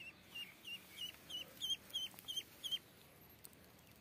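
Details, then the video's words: Eight short, high peeps from duck chicks in quick succession, then the calling stops and only a soft background hiss remains. "Duck Chicks"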